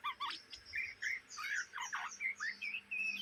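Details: Young Oriental magpie-robin (kacer bahan, trotolan) from Indonesia chattering in the ngriwik style, said to do so day and night; dense run of scratchy, squawky notes and short whistles, with a steady low electrical hum underneath.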